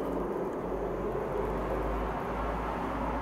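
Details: Only a steady low rumble of engine or traffic noise is heard, with no animal calls. The sound stays even throughout, without whistles or chirps.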